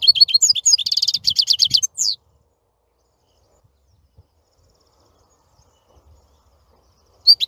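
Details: Singing European goldfinch: two seconds of fast, rhythmic twittering trill notes, then long silence with a brief chirp at the end.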